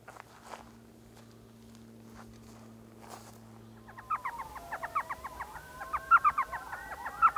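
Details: Elf owl at its nest hole in a saguaro cactus, evening owling near Mesa in the Salt River area of Arizona; after four seconds of low hum, rapid bursts of short yelping notes chatter in quick, uneven runs.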